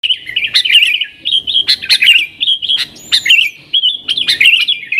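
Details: Sooty-headed bulbul singing in the lively nggaruda style, used as a lure for wild bulbuls: bubbly, liquid warbled whistles in quick rolling phrases, broken by sharp short chips.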